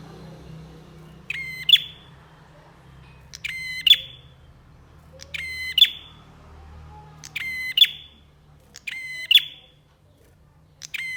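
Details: Lively bar-winged prinia on a songbird training recording: six evenly spaced buzzy, nasal notes about every two seconds, each a harmonic drone ending in a crisp high flick, over faint low rumble.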